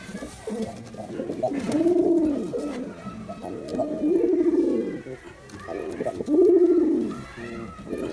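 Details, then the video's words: A male Girabaj pigeon performs a display, giving three low, throaty, bubbling coos, each about a second long, separated by quieter murmuring gaps. "Pigeon Sound Effect || Male Pigeon Super Performance || Girabaj Pigeon"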